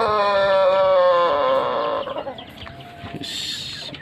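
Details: Pelung rooster, a chicken with very long wattles, ending a loud crow: a rich, harmonic tone held steady, then sliding gently lower and fading after about two seconds. Faint small-bird chirps and rustling follow.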